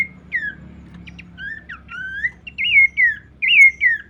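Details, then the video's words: Abbott's babbler giving short, clear whistled phrases: slurred notes that rise and fall, the later ones louder and looping, repeated about every half second against a quiet low hum. "pelanduk semak birds"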